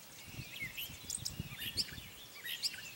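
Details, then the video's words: Gray catbird singing at Morgans Point on 22 May 2020: a jumbled, unhurried run of short squeaky, chirpy and whistled notes, each phrase different, over a low background rumble. "Gray Catbird Song"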